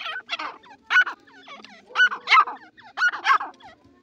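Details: Irani francolin giving grouped bursts of harsh, ringing notes about once a second, each burst with a bright tonal center, separated by short softer gaps.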